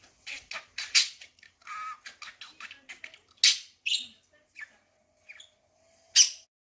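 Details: Indoor pet budgerigar talking, with newly learned words and imitated laughter: clusters of raspy chatter and tweets, then scattered short squeaks with gaps and a final sharp burst; a soft hum runs underneath.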